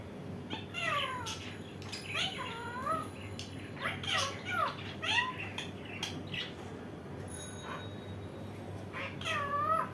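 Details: Pet Indian ringneck parakeet calling repeatedly in clusters of arched, harmonic, whining notes, sometimes rising then falling, with short pauses between groups, against low indoor hum.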